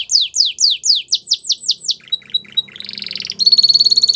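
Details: A white Belgian canary sings slow, loud downward swoops that quicken, a few thin whistled chips, then a buzzy roll and a fast, high, even trill.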